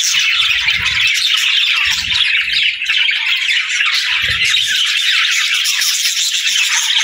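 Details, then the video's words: A group of budgerigars fills the air with busy, overlapping chirps and harsh squawky warbles, an unbroken chorus with a few faint low thumps underneath. "Cute Budgie Sounds"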